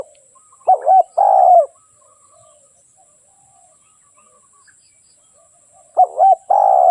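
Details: Spotted dove cooing: a short two-part coo followed by a longer rolling coo, then a long silence before the same phrase returns near the end.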